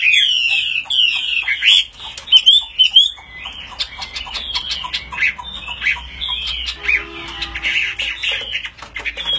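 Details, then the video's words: Loud, clear song from a displaying Chinese hwamei fighting bird that spreads fully and raises its wings high. Fast repeated whistled phrases give way to scratchy, jumbled chatter and varied trills. "Đấu xoè hết bản chơi cánh cao Chim đấu tốt"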